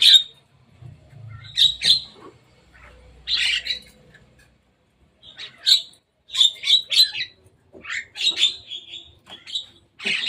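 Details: On top of a cage, a visiting Javan myna utters scattered harsh, grating chirps, with a silent gap midway and then a denser run of rapid squawky notes.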